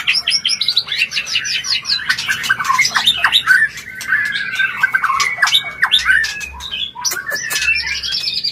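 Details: Mating song of a white-rumped shama, meant to bring a bird into breeding condition: repeated quick chirps lead into rich warbled phrases mixed with sharp clicks and harsh squawk-like notes, ending in high whistles.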